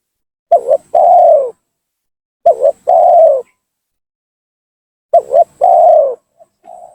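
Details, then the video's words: Spotted dove calling to lure in and provoke rival doves: three evenly spaced phrases, each a clipped double note then a long downward coo, about every two and a half seconds, ending with a faint soft coo. "suara pancingan gacor tekukur memaksa menurunkan lawan,bikin emosi lawan."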